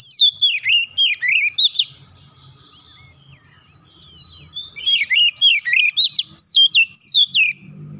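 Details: Oriental magpie-robin, provoked by a rival, answers aggressively with its repertoire: quick runs of loud, varied whistled notes with steep down-and-up slurs, a softer twittering interlude, then another strong burst. Faint low rumble beneath.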